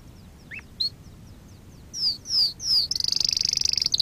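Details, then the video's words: Canary song for training canaries: scattered soft notes, three loud descending whistled slurs, then a fast high buzzy trill. "Kanarya ötüşü- Kanarya dersi-kanarya coşturma"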